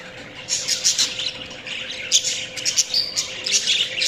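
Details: Chirping budgies give bright, high tweets and short buzzy trills, with a few clear whistled notes among the chatter.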